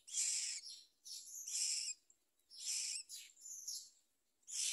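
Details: A baby myna begs while a parent brings a large blue caterpillar to its mouth. Raspy, hissy bursts of uneven length rise and fall, with a few brief pauses between them.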